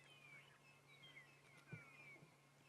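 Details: Magpie (long-tailed) shrikes at sunrise on a cloudy winter morning in Sabi Sand, South Africa, 21 August 2016, give faint, thin, sliding overlapping whistles, probably singing at each other in a territorial dispute, over a steady low hum and a soft thump.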